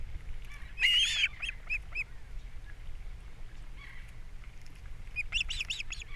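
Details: ['Captiva osprey nest on 3 April 2022, breakfast fish brought in and chicks being fed: one loud shrill squeal, a few faint chirps after it, a quiet stretch, then a short cluster of soft whistled notes.']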